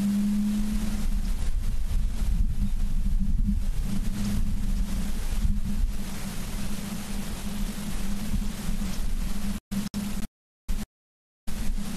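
Steady low droning hum with broadband noise and rumble, cutting out briefly near the end, with no animal calls.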